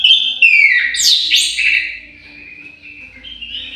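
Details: Orange-headed thrush in an aviary giving a rich song of sliding whistles and bright, jumbled notes that fade into softer warbling; a quiet low hum sits underneath.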